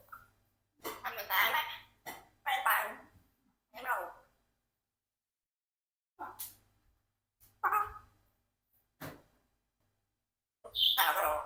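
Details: Rocky, a 4-year-old pet Congo African grey parrot, talks in short, speech-like bursts with pauses between them, in a small indoor room with a low hum beneath.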